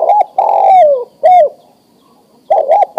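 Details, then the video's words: Male spotted dove calling a female to breed: a long mellow coo sliding downward, a short separate coo, then the double-note opening of the next phrase. "Suara Tekukur Jantan Memanggil Betina Siap Di Kawinkan"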